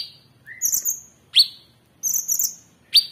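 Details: Orange-bellied Leafbird cage-bird master recording: a brief low whistle, then high buzzy phrases twice, broken by loud sharp downslurred notes.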